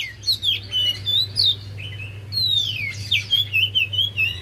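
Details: Energetic Javan white-eye singing for luring a reluctant bird to sing: continuous high chattering with fast slurred and falling whistles, notes tumbling rapidly, over a faint low hum.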